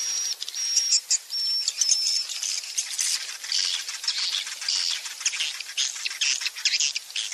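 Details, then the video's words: Swiftlets heard in a roosting lure sound meant to make young swiftlets feel at home and settle in a swiftlet house: dense, rapid high-pitched twittering and buzzy chirps, with a few thin steady whistled tones near the start. "SUARA INAP TOP WALET"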